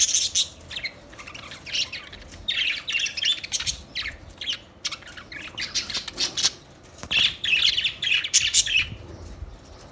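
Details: Budgerigars chirping and squawking: repeated clusters of fast, high, raspy warbled notes separated by short quiet gaps, with a livelier run of chatter near the end.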